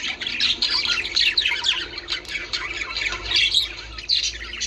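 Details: Song of budgerigars used to prompt mating: a lively, unbroken stream of scratchy squawks, chirps and warbled notes from several birds, rising and falling in loudness.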